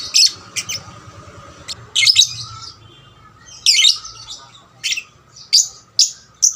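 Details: Young lovebird used to provoke other lovebirds into singing; irregular high, scratchy chirps and short bursts, some paired, separated by pauses, with a faint low hum beneath.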